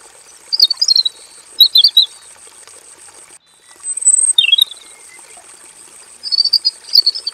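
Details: Robin in a simple aviary cage giving scattered short phrases of quick high chirps and twitters, broken by a few quiet seconds, against a steady thin high whine.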